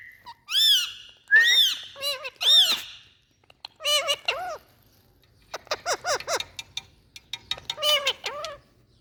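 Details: Indian parrot voicing "Mithu". It gives a series of nasal, squawky syllables with arching pitch, grouped in short bursts. Quick chattering runs of repeated notes come near the end.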